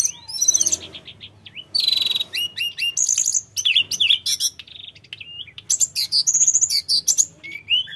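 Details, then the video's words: Sooty-headed bulbul from the mountains, singing without pause as a lure for untamed bulbuls to answer: bursts of very high rapid chatter mixed with curving whistled notes and sharp chirps, separated by brief gaps. "Suara tledekan gunung full gacor‼️100% bikin tledekan bahan cepat nyaut"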